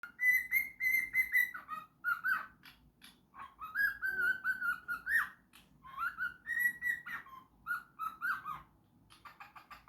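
A cockatiel sings clear whistled phrases that hold steady, then dip and rise again, broken by short scratchy chirps, in several bursts.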